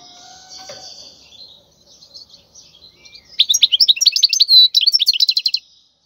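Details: European goldfinch song, wild bird, used for training chicks to sing; faint thin tones open the clip, then a burst of rapid high twittering notes and clipped chirps from about three and a half seconds.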